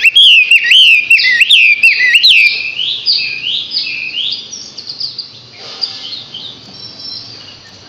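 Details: Young Chinese hwamei aged six months singing looping, wavering whistles that repeat rhythmically, fading into a quieter rambling warble.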